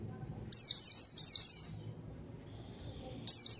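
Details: Pleci song luring and answering a rival white-eye: two linked bursts of high, slurred descending whistles, a pause, then another abrupt high burst.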